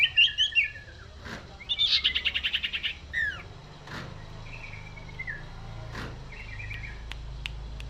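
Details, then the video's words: Common iora in lively cetrekan song. A quick chatter and a buzzy pulsed trill open the passage, then come falling whistles and a short, steady, level whistled phrase, with a few sharp clicks behind. "Burung cipoh / burung cipeuw / burung sirtu gacor cetrekan"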